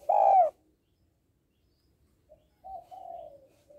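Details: Female spotted dove calling to entice males: one loud, full coo, a pause, then softer, longer, falling coo notes.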